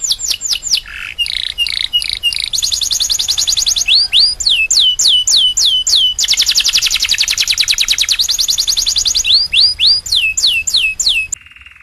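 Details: Domestic canary singing loudly: fast high trills and runs of rising, whip-like notes, then a long buzzy rattle, switching phrases every second or two, ending in a short low-pitched buzz.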